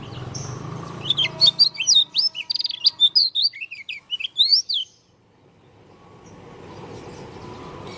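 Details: Oriental white-eye, dakun type from Lombok with an unusual voice: about four seconds of brisk, high, zigzagging twitters and whistles, followed by quiet and faint background hiss.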